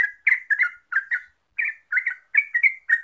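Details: Gacor ropel song of a Yellow-vented bulbul (trucuk) used to lure other birds: a lively stream of paired, bubbly slurred whistles, rapid and slightly irregular, with one brief pause midway.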